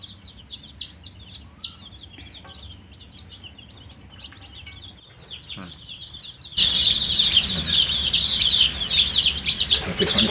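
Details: Coloured baby chicks, thirsty and wanting drinking water, chirp; sparse high peeps for six seconds, then a sudden loud dense chorus of rapid shrill peeps with handling noise.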